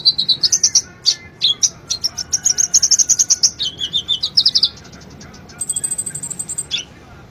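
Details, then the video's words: Konin sunbird, also called kolibri ninja, singing a vigorous master song for cage birds: a long run of fast high ticking chirps, then sliding notes and a thin, steady high buzzy trill toward the end. "Suara burung konin Kolibri ninja gacor masteran burung konin"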